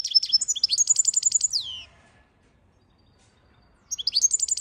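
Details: Goldfinch song: high, bright twittering phrases that open with quick chirps and run into a rapid trill of evenly repeated notes, end on a downward-sliding note, then pause before the next phrase.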